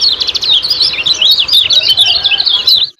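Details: Kecial kuning singing in ciak-ciak style, recorded as a lure to make caged birds sing more: a dense, rapid run of high, bright chirps and slurred notes without pause, ending abruptly.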